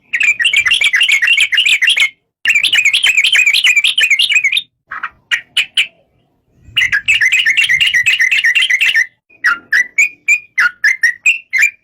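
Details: Yellow-vented bulbul (trucuk) singing: dense bursts of rapid, bubbly chattering notes lasting about two seconds, broken by short pauses, then a run of separate clear whistled notes, each sliding up or down, near the end.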